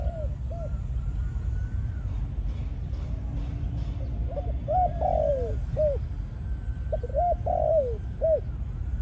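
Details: Malaysian-stock spotted dove, a male decoy in breeding mode after a few ground sessions, coos in bursts of short arched notes and drawn-out falling coos, with a quieter stretch between phrases and steady low background noise.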